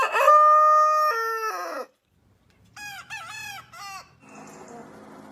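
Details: Rooster crow, loud and sustained, held nearly two seconds with a drop in pitch partway. After a silence come quieter, shorter wavering crows and then a hissy, noisy tail.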